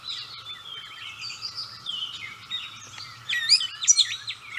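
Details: Gray catbird in full song at close range; soft warbled phrases at first, then louder, sharper squeaky notes and quick slurs near the end, irregular rhythm, with a constant low hum in the background.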